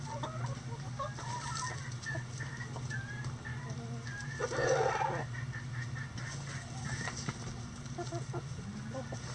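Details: Chickens kept in a coop on a sunny day give murmured clucks and short rising notes, with a brief louder bout of overlapping calls partway through, over a constant low background hum.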